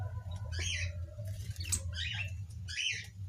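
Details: Caged white-crowned forktail in an aviary delivering three short, harsh, high twittering phrases about a second apart over a steady low rumble.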